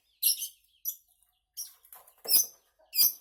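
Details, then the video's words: Long-tailed shrike producing sharp, raspy high notes in short bursts, five within about three seconds, with faint background chatter. "Burung Cendet gacor sak pole"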